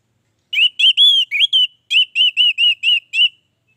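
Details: Orange-headed thrush in full, active song, used as a lure to prompt other thrushes to sing. A run of clear, slurred whistles, some rising or dipping, then after a brief pause six short, similar whistles in quick, even succession. Otherwise quiet.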